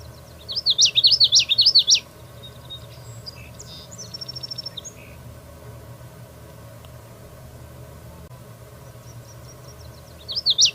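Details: Common yellowthroat delivering its rolling song of repeated high, wavy triplets, a brief softer buzzy series after, a long quiet pause with faint chips, then the song starting again near the end.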